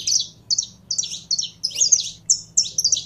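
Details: Saffron finch, a kept bird being brought into song, repeating high, buzzy chirped phrases about every half second, some notes doubled, with a low background hum.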